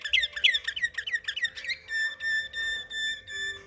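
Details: A canary in Samarkand sings a fast series of bright chirping notes, about three per second, then shifts into steady sustained whistled tones with rich overtones.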